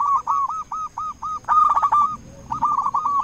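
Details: Local zebra dove with a big voice, singing a lure song to rouse other doves. It gives a string of short, clipped coos, then a fast rolling, bubbling phrase, and a final quick cluster.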